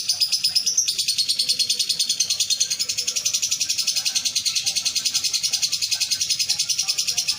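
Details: Caged lovebird in an Indonesian songbird contest in Palembang, a winner in its classes, delivering a long rapid trill of high chattering notes, about three per second, continuous and shrill with little variation throughout.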